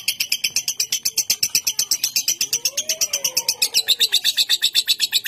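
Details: A caged contest lovebird from Bogor keeps up a long, unbroken shrill chatter of harsh notes, about six or seven a second; a soft lower whistle slides underneath midway.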